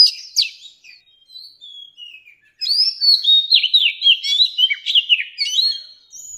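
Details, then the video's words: Mature wild Oriental magpie-robin, its song used to train young birds to sing: a brief burst of sharp high notes, a near-silent pause with soft trailing whistles, then a lively run of varied clear whistled phrases sliding up and down, with no other sounds. "Tiếng Chòe Than Già Rừng CHUẨN HAY DÙNG ép luyện giọng Chim Non"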